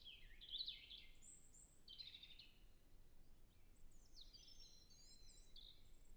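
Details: Distant European robin in a natural reserve in early spring, temperate climate, recorded with a Zoom F6 and Sennheiser MKH 8040; short high twittering phrases separated by pauses, then a longer sliding, whistled run near the end, over soft background noise.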